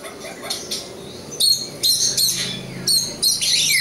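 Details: Oriental magpie-robin, a local East Java kacer, gives high bursts of bright, scratchy notes in short phrases with brief gaps between them.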